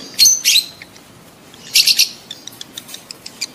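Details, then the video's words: Lovebird call used to encourage mating: two harsh chirps, a pause, then a quick triple burst, followed by a string of small ticking notes. "SUARA LOVEBIRD KAWIN"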